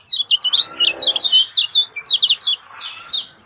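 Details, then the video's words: Lemon-bellied white-eye song used as a lure to prompt a silent bird to start singing: rapid high twittering notes, sharp up-and-down slurs packed densely for about three seconds, fading slightly toward the end. "SETTINGAN AMPUH PANCING BUKA SUARA KECIAL BISU"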